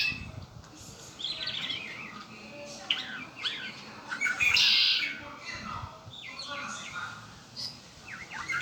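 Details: A red-winged blackbird kept as a pet gives a buzzy trill partway through, among many busy chirps and slurred notes, against a low background hiss.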